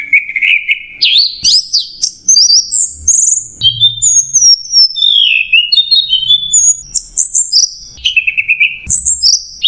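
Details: Orange-headed thrush in nonstop clear macet jernih masteran song: varied high whistles, sliding notes and short trills switching quickly between pitches, with faint low background rumbles.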